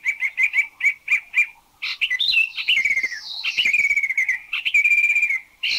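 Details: Spot-throated babbler in a Thai national park giving a varied song of quick runs of short notes and slurred, rising and falling whistles, mostly high-pitched; not very melodious but with a large vocabulary.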